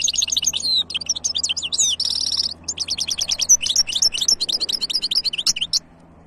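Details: European goldfinch hybrid singing, recorded in 2023: a fast, continuous run of high twittering notes, sharp chirps and short buzzy trills, with brief sustained buzzing phrases mixed in, under a faint low hum.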